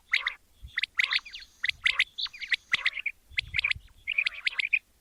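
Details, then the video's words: Morning calling of a male quail: loud, dense bursts of chirps and quick upswept notes, several grouped together and broken by brief gaps; some low rumbling noise in the background. "Amazing batair ka kartab daiken | latest chukion wali awaz subha k liye"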